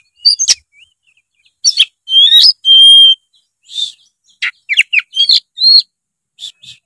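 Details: Vigorous singing from an Oriental magpie-robin, played to prompt a lazy juvenile to sing. Piercing clicks, a long steady pure whistle, then quick upward-sweeping notes and sharp chips.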